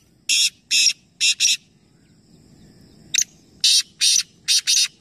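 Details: Black francolins at Nawabshah, Pakistan, three calling together in competition; two phrases of four coarse rasping buzzy notes, the second introduced by a sharp click, over low background rumble.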